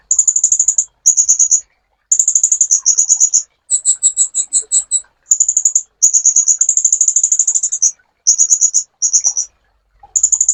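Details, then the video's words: High, rapid trills of a sunbird from a master recording for songbird training, in bursts with short gaps. A slower series of separate two-toned chirps falls midway. "MASTERAN BURUNG KOLIBRI"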